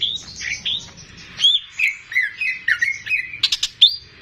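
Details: Kept greater green leafbird singing actively, used to tutor young birds: a run of slurred, rising and falling whistles, then sharp clipped notes and a high final whistle.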